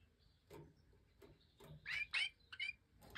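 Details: Captive-bred European goldfinches of the Major variety in an aviary, 2024 breeding season: a hen feeding the last five chicks after they jumped from the nest. Harsh, scratchy chirps come in a quick cluster of three bursts, with faint ticking clicks between.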